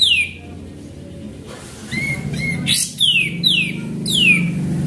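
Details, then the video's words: Sooty-headed bulbul singing as a lure: a falling whistle opens, then short level notes and three bright descending whistles in fast succession, with a rough burst and low hum underneath. "Pancingan Burung Kapas Tembak Gacor"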